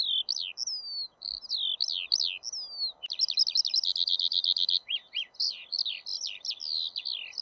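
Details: Continuous skylark song of quick rising and falling whistled notes, breaking midway into a fast buzzy rattle of repeated notes, then back to varied chirping phrases over low background hiss.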